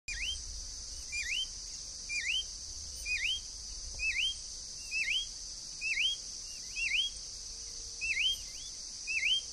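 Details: Green-backed becard, free in the wild: a sharp down-up whistled note shaped like a check mark, repeated about once a second, over a steady high insect hiss.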